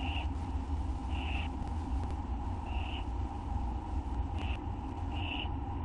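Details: Owls on a live camera at night in August 2011 as food is delivered and taken; five brief raspy screeches at irregular gaps over a steady low hum.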